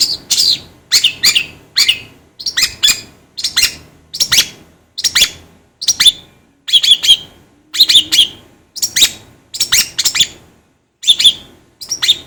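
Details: Long-tailed shrike (cendet or pentet) training song meant to make birds sing quickly: paired scratchy, high whistled notes repeated in steady bursts about once a second.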